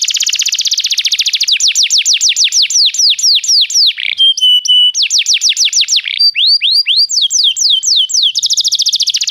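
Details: Canary song meant to encourage another canary to sing: continuous fast trills and repeated downward-sweeping whistles, broken by a brief steady pure tone, then more rolling slurred phrases and a dense buzzy roll.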